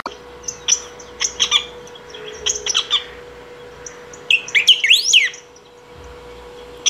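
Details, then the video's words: Saffron finch singing nonstop to call or train other birds; scattered high chirps and short notes, then a burst of rapid, sweeping up-and-down whistled phrases near the end, with a steady low hum underneath. "El Picahueso Cantando / Bico De Pimenta Ou Batuqueiro Cantando."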